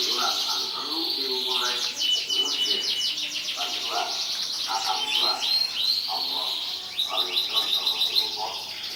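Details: Champion canary from 2014 competition: long sequence of fast repeated high notes forming rattling trills, interspersed with lower warbled phrases and brief pauses, delivered continuously.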